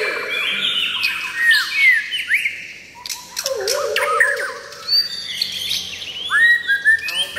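A White-rumped shama sings rich, varied phrases of clear whistles, sweeping slurs and rapid chattery notes, with a lower fluty phrase midway and faint background chatter.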